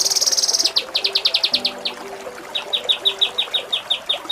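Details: Kinoi song used to train contest birds, Cililin style: a short high buzzy trill, then a run of sharp repeated high chips, a pause, and a second series of clipped notes at a steady pace, with a faint hum beneath.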